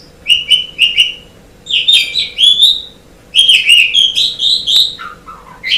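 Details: An Asian pied starling sings on a tutor recording meant to train songbirds. Paired chirps, then slurred rising whistles and falling lower notes come in phrases separated by brief gaps, with a constant faint hum behind.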